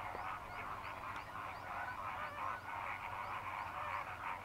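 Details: Greater flamingos, dry-season migrants to Sri Lanka, fishing in Mannar Island lagoons: rapid, pulsing honks from many birds at once, rising and falling in waves of chatter.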